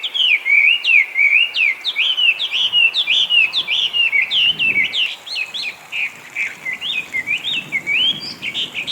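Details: Feral Chinese hwamei in Japan, designated an invasive alien species, known for mimicking other birds; loud, fast run of repeated whistled slurs, several per second, bright and ringing, shifting between phrase types without a break.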